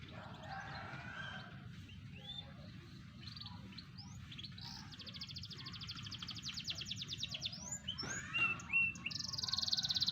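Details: Canary aged four to five months, a young bird performing, filmed 28 July 2020: varied high song with rapid buzzy trills and short whistled notes building louder toward the end, over a low steady background hum.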